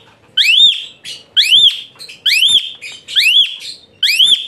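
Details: Shrill Asian pied starling song used as tutor material for songbirds: five loud, rough whistles, each arcing up and down, spaced about one second apart in a fairly steady rhythm.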